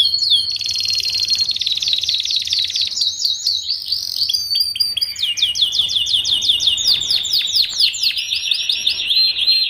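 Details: Tutoring song of a canary for young birds learning to sing: varied high rolling trills, buzzy tours and chattering phrases flowing without pause, ending in a sustained fast trill.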